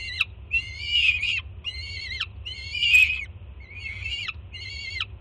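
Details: Loud food-begging screams from a young peregrine falcon greeting its mother at a Jersey City nest box in June; rasping, wavering calls, two especially harsh and noisy, spaced irregularly roughly a second apart.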